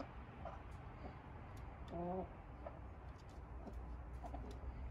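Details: Soft hen chatter from an urban flock at bedtime: one brief, tonal, quavering cluck around two seconds, with faint murmurs and distant traffic rumble behind.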